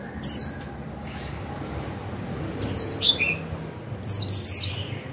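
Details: Caged decoy Japanese white-eye giving 'líu' notes to stimulate wild birds: three short, separated clusters of high, thin, descending chirps over quiet background hiss.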